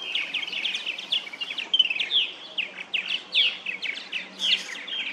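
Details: Several purple martins calling at a backyard colony of gourd nest houses in St. Catharines, Ontario, Canada; rapid chattering chirps and throaty gurgling warbles overlapping continuously, some notes sharply rising or falling, loud and close.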